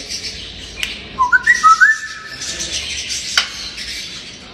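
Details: A playful talking grey parrot gives a short run of clear whistled notes. They rise and step between two pitches, then hold steady, over faint room noise.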